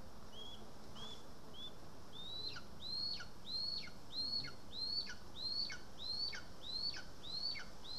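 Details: {'caption': 'Lesser spotted eagle at the nest in Estonia, August 2020, while being fed voles. Steady series of high, thin, slurred whistles, each rising then dipping, repeated evenly about every 0.6 seconds and growing slightly louder.'}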